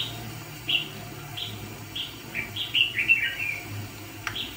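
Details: Decoy red-whiskered bulbul used to trap fighting birds gives scattered clear chirped notes, then a faster cluster of slurred, downward-sweeping whistles near the end, with a faint low hum behind.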